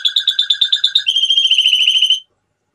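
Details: Male canary singing: a run of evenly spaced, ringing notes about eight per second, then a faster, smoother rolling trill at a single pitch that stops abruptly into silence.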